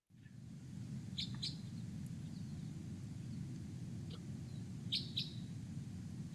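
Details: Crossbill giving its hard, far-carrying, metallic 'glip' call, often delivered in flight from on high: notes in quick pairs a few seconds apart, over a steady low rumble.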